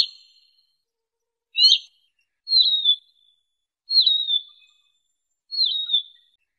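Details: Siberian rubythroat sounds for trapping: high, thin whistles, each bending downward and trailing into a level tone, repeated about every 1.5 seconds after a shorter, harsher note.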